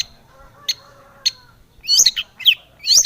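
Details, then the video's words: Long-tailed shrike song used as a lure to prompt other shrikes to sing: faint twittering, then three loud, squeaky, looping high whistled notes close together near the end. "SUARA BURUNG cendet gacor SEKETIKA pancingan cendet agar bunyi PENTET"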